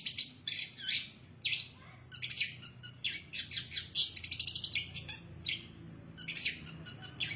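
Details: Long-tailed shrike singing a varied song mixing loud, harsh scratchy bursts with quick high chirps and a short rising whistled phrase, notes coming in uneven clusters.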